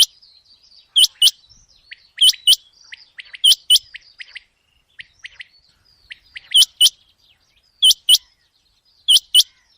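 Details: A common quail calling at night gives sharp, high double notes in a regular series. Faint, thin chirps fill the quiet between the pairs.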